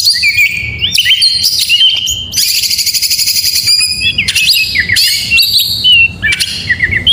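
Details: Oriental magpie-robin song recorded in the morning: clear whistled phrases interrupted by a long buzzy rattling trill, then more ringing slurred notes and squeaky flourishes.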